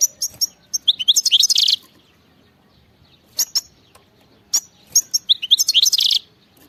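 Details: Wild European goldfinch singing: two bursts of rapid, tinkling twitters and high chirps, each about a second long, separated by a pause with a few isolated sharp notes. The background is otherwise quiet.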